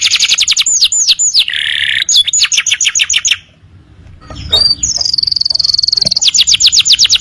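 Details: Canary song used as tutor audio for young birds. Loud, rapid, high trills of repeated notes, then a buzzy rolling segment, a brief quiet gap and a sustained whistled note leading into another fast trill.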